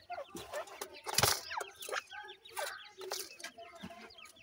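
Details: Black francolin (kala teetar) chicks giving a busy jumble of short, high, chirping peeps that rise and fall quickly, overlapping one another, mixed with scuffling and flapping noises.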